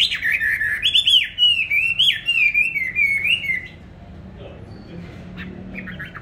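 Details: Caged songbird bought 19 May 2020, kept on stable feed and singing at all hours. A rapid chain of warbling, swooping whistles lasts about four seconds, then quieter, sparse chirps over a low room hum.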